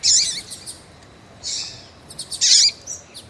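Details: Captive female rusty-collared seedeater in Brazil calling to excite a male: three loud harsh high bursts with wavering tones, separated by short quiet gaps.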